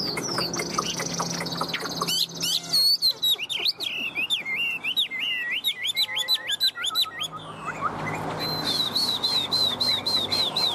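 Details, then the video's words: A tame, tall-standing Chinese hwamei, held perched on a person's hand, sings loud, rich phrases of rapid, looping whistles that rise and fall. Sharp chirps come between them, with faint low sounds underneath. "Thuần xách tay hót"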